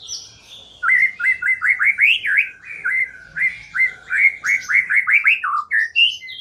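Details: Lure song of the white-rumped shama, played to coax a silent bird into singing: a fast, even sequence of downward-slurred whistled notes, about three a second, ending in a higher flourish.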